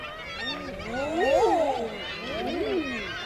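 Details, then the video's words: On the Isle of May, Scotland, male common eiders in nearby water give soft, moaning rising-then-falling ah-hoo coos, two clear after a faint one, over a low watery hush. "Close Up of Male & Female Eiders with Calls"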